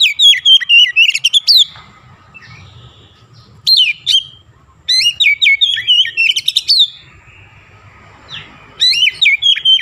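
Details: Vigorous oriental magpie-robin song mixed with Javan myna mimicry, delivered in bursts of rapid, bright whistled and chattering notes, about four per second, separated by quiet gaps of a second or two.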